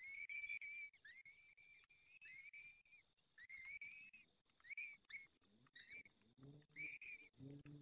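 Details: Peregrine falcons being fed at the nest, Barycz Valley, Poland, evening of 23 April 2020. Rapid, insistent whistled whines with rich overtones, then lower tonal notes near the end, over faint hum.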